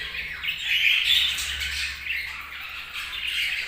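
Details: Budgies chirping in a steady, high, scratchy chorus of overlapping squawks and twittering notes, rising and falling slightly in loudness.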